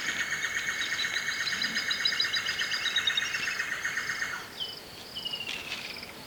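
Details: At Shingwedzi Rest Camp in Kruger National Park, a Levaillant's cuckoo gives a fast, harsh chattering run of high notes for about four seconds. A water thick-knee calls in the background, with thin falling whistles near the end.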